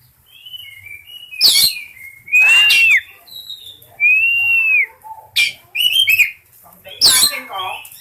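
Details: Oriental magpie-robin in breeding condition, giving soft warbles and long arched whistles between loud harsh rasping bursts, with a low hum in the background.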